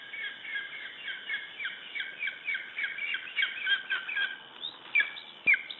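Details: Male lesser spotted eagle in Latvia, 25 July 2012, calling while holding prey: a rapid, irregular series of harsh, squawky yelps with stacked overtones, about two per second, some notes rising and falling, over a faint steady hiss.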